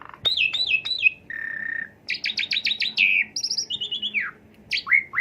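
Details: Asian pied starling song played as a lure to excite a kept bird: descending chirps, a held flat whistle, a fast run of repeated sharp notes, then high squeaky phrases and falling whistles.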